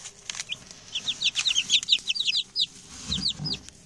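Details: Six new male chicks, settled in and chatty, produce loud close high peeps, downward-slurred and tumbling in quick succession, with a low thump near the end.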